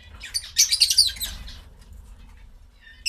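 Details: Pet quail feeding on vegetables give a quick cluster of high, thin chirps and peeps, with soft pecking clicks and a final sharp note at the end.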